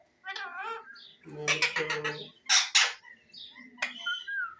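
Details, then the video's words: Parrot making a wavering nasal note, low croaking chatter, two loud raspy squawks and a final squeaky whistled call. "Parrot Phil is making noises,Beautiful parrot words"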